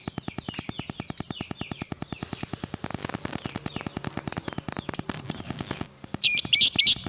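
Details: Lovebird lure sound meant to provoke other lovebirds: sharp, high chirps repeated roughly every two-thirds of a second, ending in a quick cluster of squeaky looping notes, with steady ticking behind.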